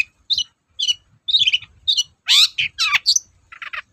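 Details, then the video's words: Long-tailed shrike singing actively as a lure for quiet shrikes: spaced scratchy chattering notes roughly twice a second, building to louder harsh wide-band squawks and a final buzzy burst. "BURUNG CENDET GACOR DORR, BIANGNYA PANCINGAN CENDET LOYO"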